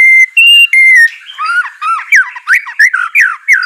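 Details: White-rumped shama, song for training a reluctant bird: three steady pure whistled notes at slightly different pitches, followed by a jumble of quick slurred chirps.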